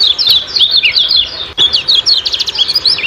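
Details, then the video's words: Kecial kuning ciak-ciak song, used to coax caged birds into singing: quick high chirps in two bursts split by a short gap, each a busy jumble of sharp notes. "Joss Master Kecial Kuning Ciak Ciak Gacor Banget"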